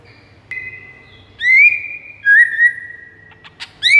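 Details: Master song of a white-rumped shama meant to draw in rival shamas: long level whistles broken by rising, ringing slurs, a few short clicks, and a final bright upswept note over a soft low hum.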